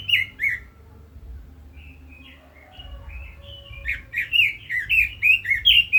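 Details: Two loud warbled notes, a stretch of soft quiet twittering, then a Red-billed leiothrix launching into a rising sequence of about ten rich, swooping whistles.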